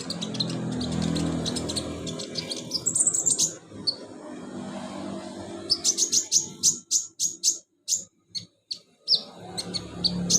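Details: Olive-backed sunbird song meant to coax a lazy caged bird into singing: rapid high ticking chirps over a low rumble, then spaced sharp notes about twice a second with quiet gaps.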